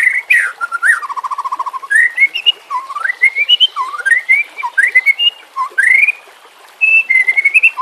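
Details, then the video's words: Varied song of a white-rumped shama, from a recording meant to coax silent caged birds into singing: rising and falling slurred whistles, short buzzy trills and quick chattering phrases with brief pauses. "Terapi Murai Malas Bunyi"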